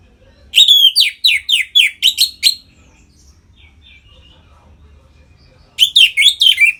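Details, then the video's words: Orange-headed thrush singing in the loud open 'ngeplong' style, played to stimulate captive birds into breeding condition: a rapid burst of about eight bright, downslurred whistled notes, a long pause, then a similar quick burst. "Suara Ngeplong ANIS MERAH Gacor Memancing Burung Agar Birahi dan Lanjut ke Tahap Teler"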